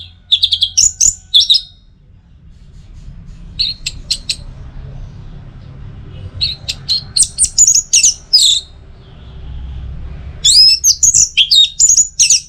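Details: Orange-headed thrush song, North Bali, Singaraja, played as a tutor and lure for caged birds: loud bursts of rich varied whistles and slurred high phrases separated by pauses of a second or two, with faint background rumble.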